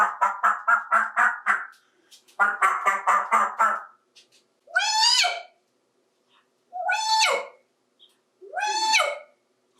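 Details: Male African Grey parrot, 28 years old, adopted, talking to toys in a bathtub: two bursts of quick repeated chatter, then three separate drawn-out, rising-then-falling "Hi" calls with rich harmonics, imitating a cockatoo.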